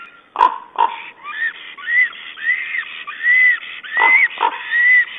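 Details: A black stork at its nest in April calls to its mate while arranging twigs and moss: a run of wheezy, whistled notes, each rising and falling, about one every half second, with a few soft grunts and knocks at the start.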